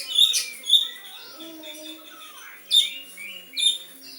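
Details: Imitating a sooty-headed bulbul, an Oriental magpie-robin gives loud, piercing chirps in pairs, separated by a gap with softer downslurred notes.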